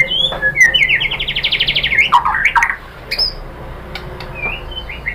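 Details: White-rumped shama singing to draw other birds into answering: quick whistled phrases run into a rapid rattling trill, followed by sweet rising and falling whistles with pauses between.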